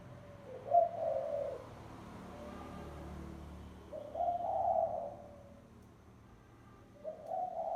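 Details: Spotted dove lure call used as a decoy. Mellow, hollow coos repeat in phrases roughly every three seconds over a low rumbling background hum.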